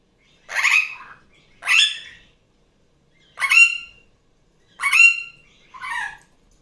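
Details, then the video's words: A female superb parrot (Barraband parakeet), a pet just off her nest, gives five harsh, raspy squawks, each about half a second long and roughly a second apart, during loud Sunday-morning playtime. "Barraband parakeet sounds"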